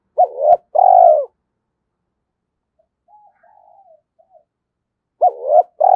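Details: Spotted dove cooing to stir decoy birds into calling: a double hoot then a long mellow coo, a quiet gap with faint soft murmurs, and the phrase starting again at the end.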